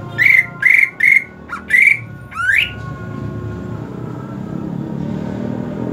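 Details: Greater green leafbird kept and cared for during hot season: five loud whistled notes in quick succession, the last a rising slur, followed by quiet room noise.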